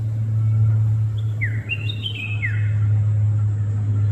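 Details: Red-whiskered bulbul delivers one brief cluster of bright chirps: quick downslurred and warbled notes lasting about a second, midway through. A loud continuous low rumble like traffic or machinery lies underneath.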